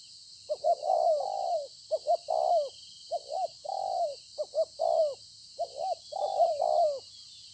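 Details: Spotted dove, a field-caught decoy, Konlong, 26 September 2020, cooing steadily: several phrases of clipped double notes followed by a longer falling coo, with persistent high hiss behind.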